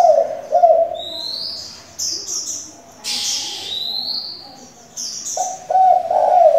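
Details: Decoy spotted dove that keeps switching voices, kept to train young doves: low rolling coos open and close the recording, while other birds give frequent thin, high chirps in between.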